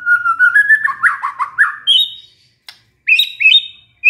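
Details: Stressed white-rumped shama singing suddenly after hearing a lure recording: a warbling whistled phrase with quick wavering notes, then sharp higher upslurred whistles after a short gap.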